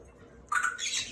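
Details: Two Indian ringneck parakeet brothers fighting over pomegranate seeds, one not sharing: after a near-silent half second, one loud harsh, noisy squawk bursts out and carries on raspily to the end.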